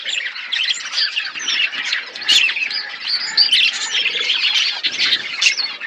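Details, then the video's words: Flock of budgies chattering while eating: an unbroken stream of high, raspy warbles, squeaks and chirps from many birds, steady in loudness throughout. "Beautiful budgies chirping sounds birds eating food"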